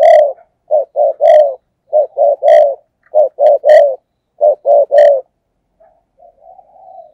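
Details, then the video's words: Thúc gù cooing of a spotted dove decoy meant to attract wild doves: close, clean groups of three low husky coos, repeated about five times, trailing into softer, quieter coos at the end. "cu gáy, Mồi cây thúc gù chuẩn căng đét"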